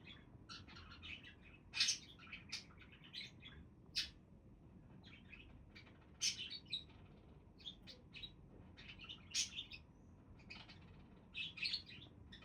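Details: Budgerigars chattering continuously, with sharp clicky chirps and rasping squeaks in irregular bursts, some notes loud and bright.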